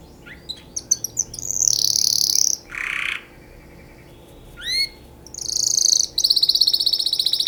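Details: Canary singing for mating, mixing quick clipped chirps, long high rolling trills, a harsh rasping burst and upswept whistled notes, closing with a fast steady rattle.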